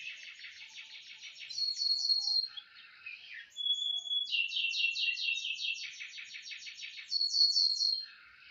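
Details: Morning training song from one of two pet canaries on 18 December 2025: fast rolled trills alternate with short pauses, a brief pure whistled note, then another long rapid trill and a bright closing roll.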